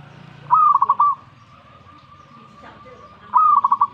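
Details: Zebra dove responding straight away to a master recording. Two bubbling coo phrases come about three seconds apart, each a clear opening slur and a fast run of pulsing notes. A thin steady tone fills the gap.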